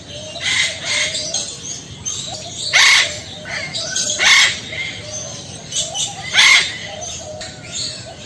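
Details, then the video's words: A male eclectus parrot calling to a female gives harsh, raspy screeches in bursts every one to two seconds, with softer chattering notes between them. "Burung Bayan Jantan Manggil Betina"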